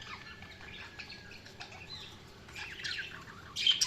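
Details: Budgies chirping with soft scratchy warbles and thin high squeaks, building into a louder burst of buzzy chatter near the end.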